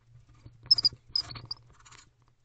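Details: Two owls, a mated pair, preening each other in a nest box in the small hours of 8 November 2023; loud, rapid, high-pitched twittering chitters in quick clusters, then a softer scratchy trail, with a faint low hum.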